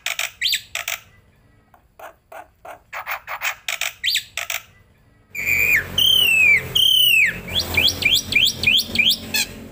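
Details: Master training recording of starling song for cage birds: scattered high chirps at first, then loud, clear whistles slurring downward, followed by a fast series of rising whistled notes.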